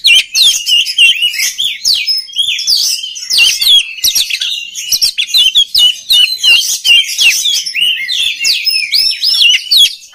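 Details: Oriental magpie-robin, song used for training other magpie-robins; continuous rich medley of loud whistles, harsh chatters and fast chirps, barely pausing throughout.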